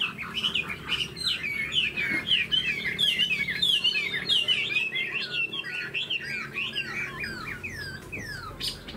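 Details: Chinese hwamei, a tame cage bird with a spread tail and an eagle-style wing display, pours out a long, rapid stream of ringing slurred whistles, about two notes a second, each bending downward.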